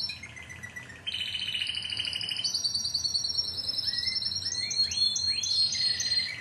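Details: Timbrado canary, Greek club team 2009: a rolling trill, a jump to a higher sustained roll with layered notes, then upswept chirps and renewed trills toward the end.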